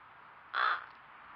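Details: A single loud, harsh caw from a crow in a Nova Scotia backyard, Canada, picked up by a trail camera, against faint steady hiss.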